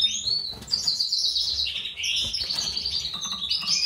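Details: White-throated mutation male goldfinch paired with a classic female for breeding: continuous, fluent twittering song of buzzy, warbled high notes without breaks.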